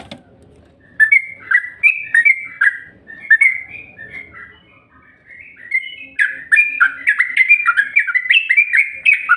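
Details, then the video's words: Yellow-vented bulbul lure call: after a quiet start, bubbly, whistled notes rise and fall in a loose phrase, pause, then return as a busier, more continuous stream of chirps. "SUARA PANCINGAN TRUCUK INI"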